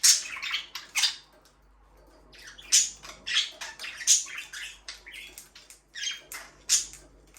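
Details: Budgies kept as pets chatter in sharp, harsh chirps and brief squawks, delivered in irregular clusters with quiet gaps between, all high-pitched, recorded indoors.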